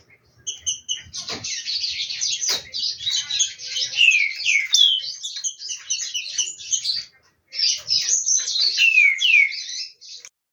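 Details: Caged green-winged saltator, a competition bird, warming up its voice before the coming season: loud, continuous, rich warbled phrases with descending slurred notes, broken by a brief pause before the song resumes; a few clicks and faint background noises.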